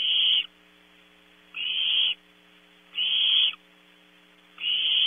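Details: Competing Barn owl owlets in a nest box at Audubon Starr Ranch, California, during a 3 a.m. prey delivery. Four coarse, hissing rasps, each about half a second, arriving roughly every one and a half seconds, with low hum.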